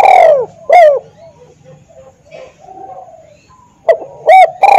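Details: Spotted dove decoy bird cooing: a long falling coo and a short one, soft murmuring notes through a quiet middle, then another phrase of quick clipped coos.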